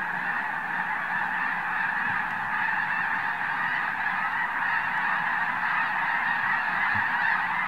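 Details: Huge flock of Arctic white geese lifting off together at Oregon's Summer Lake Wildlife Area, thousands of birds honking at once in an unbroken, even wall of overlapping calls with no pauses.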